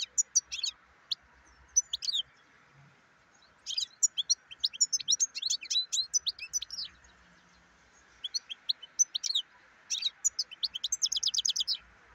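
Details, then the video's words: Lively twittering song of a black-headed goldfinch, delivered in three or four rapid phrases of sharp, high chirps and jingling trills with short breaks, a low steady hum beneath. "Черноголовый щегол"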